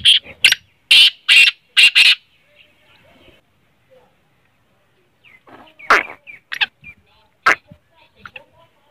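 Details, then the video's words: Black francolin call used to stir a silent francolin into calling: five loud, harsh, grating notes in rapid succession, followed by faint scattered clicks and softer calls. "kale teetar ko jaldi mast kerne wali awaz|kale tetar mast awaz| تیتر بولائی نہیں کرت یہ آواز سنائیں"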